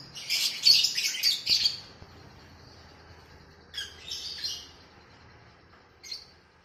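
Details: Oriental magpie-robin training recording for captive birds, also featuring sooty-headed bulbul: a burst of scratchy, high chattering notes, then a pause and two shorter chirpy bursts, with a quiet background.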